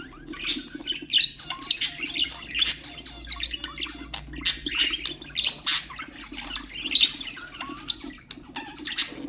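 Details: Budgerigars kept as pets warble to encourage other birds, giving a steady run of sharp, scratchy chirps and brief squeals, each burst spaced about half a second apart.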